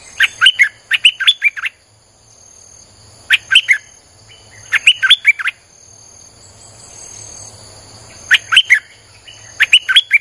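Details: Streak-eared bulbul singing non-stop as a lure for wild birds, repeated clusters of rapid bubbly chirps, often two phrases back to back, with short gaps and a constant high whine.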